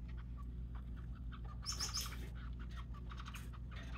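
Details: Hand-fed white zebra finch, recorded 21 December 2023, gives soft, scattered chirps and a brief buzzy burst over a steady low hum.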